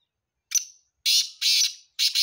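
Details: Black francolin in Sindh, Pakistan, calling: one short sharp note, then three loud, harsh, grating bursts of about half a second each in quick succession, in otherwise quiet surroundings.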